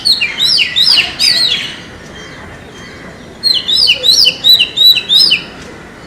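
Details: An Oriental magpie-robin sings in the forest with rapid clusters of bright whistles and sliding high notes. A burst opens the recording, then comes a quiet gap of about a second and a half, and another lively whistled run follows.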